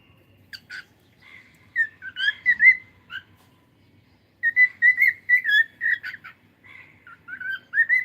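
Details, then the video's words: Cockatiel singing: a run of clear whistled notes near the same pitch, with short rising and falling slurs, a pause of about a second midway, then a fast string of bright whistles resuming. "Cute Cockatiel singing and sound"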